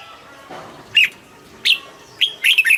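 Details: Caged red-whiskered bulbul singing lively notes: two separate sharp chirps, then a fast run of rolling, bubbly whistles. A soft rustle comes early on.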